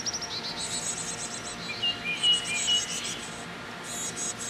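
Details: Young chickadees being fed in a nest box the day before they fledged: busy, buzzy high chittering in quick repeated bursts almost throughout, with a few brief whistled notes mixed in midway.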